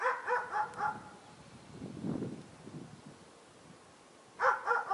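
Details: Fieldfare in late winter uttering a run of four rapid harsh chattering notes, then a gap with soft low rustling, then another fast burst of chatter at the end.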